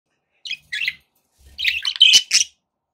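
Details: Pet budgerigars give a few short, bright chirps, a pair of quick notes, then a louder burst of rising, squeaky twitters lasting about one second before silence.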